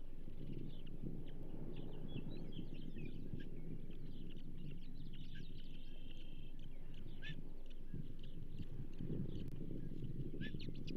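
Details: Osprey at a nest during feeding, with a pumpkinseed fish brought for breakfast, June 2024: a series of short, thin, high chirps, some in quick runs and one steadier whistled note, over strong low wind rumble.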